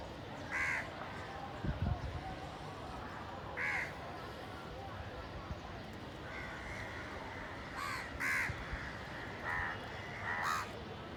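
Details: Loud crowing from hungry village crows competing for food: hoarse caws roughly every few seconds, several in quick succession toward the end, over continuous background noise.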